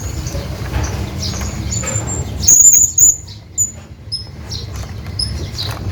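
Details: Shrill, thin squeaks from a hanging parrot calling to a companion, a loud doubled burst followed by a few fainter high notes, with low rumbling noise throughout.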